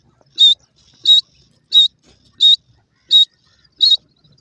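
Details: Young grey francolin chicks give high, thin peeps. Six short, sharp notes come at a steady pace of about one every 0.7 seconds, with near silence between them.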